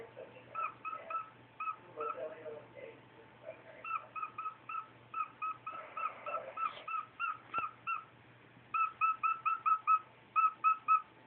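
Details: A male cockatiel beeps to his cage cover in the morning before being woken, in quick bursts of short, bright, electronic-sounding notes, ending in a fast run of evenly spaced beeps.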